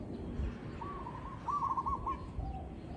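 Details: Zebra dove, recorded for real, delivering a single rippling trilled coo phrase that starts softly and then gets louder, over low background noise.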